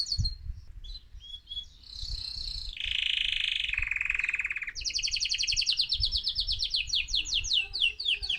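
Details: Song of an excited male mosaic canary, meant to stimulate other birds: short whistles, then a low buzzy rolling trill dropping in pitch, followed by a rapid high run of repeated chip notes.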